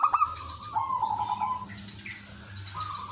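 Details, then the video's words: Singing zebra dove (merbok kampung) used to lure other doves into answering. A fast clicking start leads into a drawn-out, evenly pulsed cooing trill of about a second, then quieter scattered notes over low background hum. "suara merbok kampung/perkutut lokal gacor manggung jadi pikat pancingan semua jadi nyaut"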